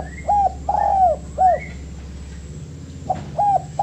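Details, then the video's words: Spotted dove master recording for training birds: short looped notes and a long arched coo, repeated phrases, over a low background hum. "MASTERAN DERUK"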